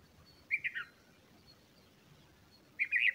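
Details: Bulbul chicks, being fed by a parent, give two short bursts of high, scratchy chirps about two seconds apart, over a faint low background rumble.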